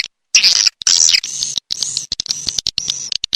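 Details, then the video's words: Swiftlet calls: thin, high twittering chirps in short bursts separated by brief silent gaps, some notes sliding slightly. "Sp Burung Walet Dewa Amoy Super Raja Sedot"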